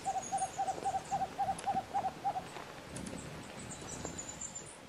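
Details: White-throated screech owl at Yanacocha Reserve, Ecuador: a quick, even run of about nine short, mellow hoots on a steady low pitch over two and a half seconds, then quiet with faint background hiss.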